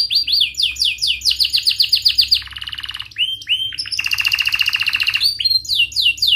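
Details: Canary singing a sharp cuit-cuit rolling song, used as a lure to teach young canaries and to restart canaries that stopped singing: rapid rising-falling trills, a buzzy rolled section, then fast sweeping notes and a dense high roll, with a faint low hum behind.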